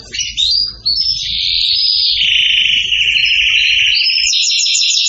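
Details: Excited canary delivering a long rolling trill that dips lower in the middle and rises again, finishing with quick repeated high notes; a faint low hum underneath at first.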